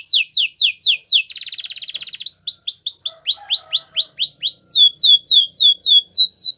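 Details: Belgian canary song for training, with rapid repeated downward-sweeping high notes, a fast buzzy rattle in the middle, then rolls of lower rising-falling syllables at about four per second.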